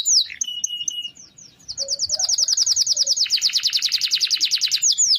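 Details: Canary in a long roll used as a master for other birds: a few high chips and a flat whistle, brief pause, then a very fast continuous rolling trill of repeated high notes.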